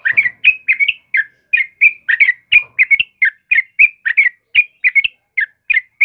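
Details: Yellow-vented bulbul (trucukan kebo) in lively morning song: continuous rapid bubbly warbles, about three short phrases a second, each a liquid rising-and-falling chirp, with faint low taps behind.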